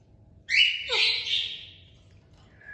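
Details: A single harsh, breathy parrot squawk with a falling tail, above a low background hum.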